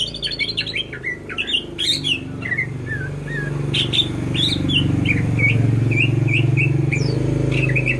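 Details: Greater green leafbird, a kept songbird, giving a chattering, varied song that settles into a run of short repeated slurred whistles, backed by a steady low hum.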